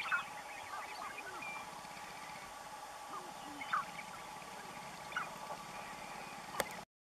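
Sharp-tailed grouse at a lek give scattered short clucks, coos and chattering notes from several birds, over a steady low hum.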